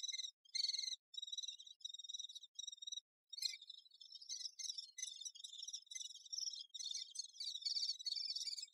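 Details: Great spotted woodpecker busy with its young: several separate high, buzzy rasping bursts at first, then a pause, then a thick, continuous high-pitched chattering that grows busier.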